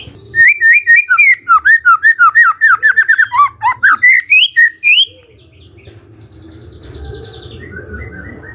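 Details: A magpie-robin sings in the morning to prompt a quiet bird to respond, giving a quick series of bright, bouncing whistles for about five seconds before fading into soft background hiss.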